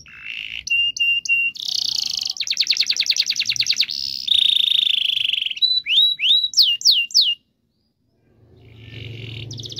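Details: Lively canary song with long rolls, used to prompt silent canaries to sing: high buzzy notes, a fast rolled trill, then sharp downslurred whistles, followed by a brief pause and a renewed buzzy phrase.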